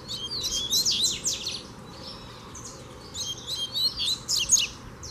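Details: Wild double-collared seedeater coming close to challenge a caged one: two bursts of rapid, high, scratchy chirps and short trills, separated by a quiet pause, over steady low background hum.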